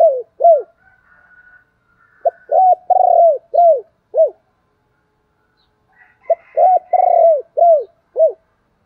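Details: Spotted dove used as a decoy, repeating its cooing phrase twice, each a series of five or six short arched coos with one longer note in the middle, separated by a pause of about two seconds.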